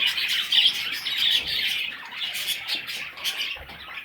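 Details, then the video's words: Parrot chicks squawking and chirping together, shrill rasping notes louder at first, then fading slightly, with a quick irregular rhythm of calls. "Baby Parrots – Sweet Little Chicks!"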